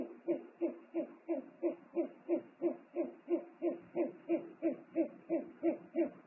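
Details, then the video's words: At a nest on 3 March 2019 the male owl arrives with food and the pair exchange calls: a long, even series of low hoarse pulses, roughly three each second, with no other sounds. "ūpju paps atnes ņammu,dialogs"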